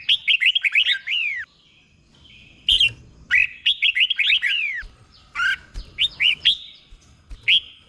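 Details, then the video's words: Caged red-whiskered bulbul tutor song used to train birds, from Thailand: quick strings of bright downslurred whistles in rapid bursts of five to eight notes, separated by brief pauses, with occasional sharp clicks. "เสียงนกกรงหัวจุก | สุดยอดนกครู เบิ้ลชัดๆ เบิ้ลเป็นคู่ๆ"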